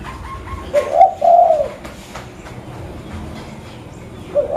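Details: Local zebra dove from Mutiara, Pidie, Aceh, recorded as a lure for other birds: one drawn-out trilled coo phrase near the start and another beginning at the end, separated by quiet, noisy background.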